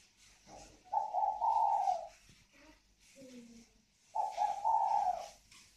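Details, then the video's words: Caged pair of native spotted doves from northern Vietnam, valued for their resonant 'còi vang' cooing. Two drawn-out coo phrases rising slightly in pitch, with a few short low murmured notes between them. "Thưởng Thức cặp đoi chim cu gáy CÒI VANG _ THỔ XỊN (cu gáy miền bắc)"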